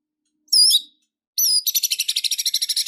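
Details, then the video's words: White-rumped shama singing in an agitated, fighting state: a loud, high, wavering whistled phrase, a pause, then a rapid, steadily repeated high trill of about a dozen pulses. "Murai batu Super Loyo tiba Tiba Serontak Emosi Fighter,Dengan Suara Murai Batu Gacor Full isian Ini"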